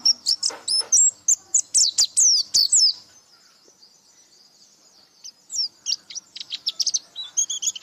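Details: White-eye singing energetically with open beak: a dense burst of very high, sharp twitters for three seconds, a short quiet gap, then fainter rapid chirping that builds up again.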